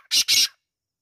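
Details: Kala Teetar, the black francolin, giving two rasping, hoarse notes in quick succession, each about a fifth of a second long, followed by silence.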